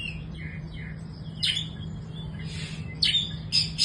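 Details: Young Oriental magpie-robin calling with a few soft notes, then louder rasping, squawky bursts near the end, over a constant low hum.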